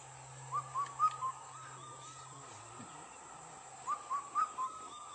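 Indian cuckoo giving its four-note whistled phrase, mid-pitched and falling slightly at the end, repeated after about three seconds over a faint low hum.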